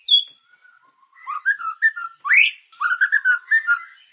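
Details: White-rumped shama song to stimulate caged birds: a high clear note, then soft warbling whistles, a loud upward sweep, and a run of rapid mellow phrases.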